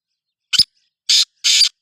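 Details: Black francolin (kala teetar) giving a harsh call: a short rasping note, then two longer buzzy, grating notes about a third of a second apart, with no other sounds.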